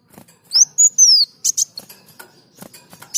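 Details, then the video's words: Brief snatch of kolibri daun sunbird song meant for training other birds: a few high, slurred whistles, one long and descending, followed by scattered clicks and ticks. "Masteran Burung Kolibri Daun Gacor"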